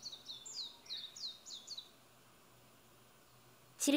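A warbling white-eye gives a quick, high, twittering run of about eight thin, down-slurred notes lasting under two seconds. A sharp knock follows after a pause.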